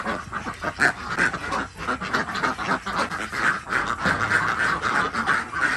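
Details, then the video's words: Flock of Desi ducks at a village farm in Andhra Pradesh, India, heard in the morning as eggs are gathered; rapid, overlapping raspy quacks, roughly three per second, continuous chatter from many birds. "Collectig Duck Eggs Day 120 | Duck Egg | Desi Duck"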